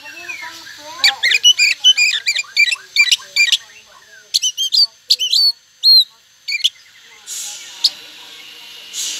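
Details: Oriental magpie-robin in full, insistent song played to provoke other magpie-robins into answering: bursts of sharp whistled notes, rapid chattering trills and harsh squeaky phrases, separated by short pauses, ending with a couple of breathy rasps.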